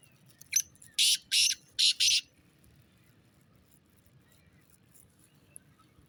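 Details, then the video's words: Black francolin giving one rasping phrase: a short grating note, two longer harsh bursts and a closing pair, followed by several seconds of faint low background rumble with no further calling. "Kala teeter awaz"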